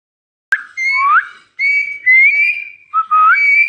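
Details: Rose-ringed parakeet talking indoors, repeating a short phrase of whistled, rising syllables in quick bursts, with a sharp click at the start.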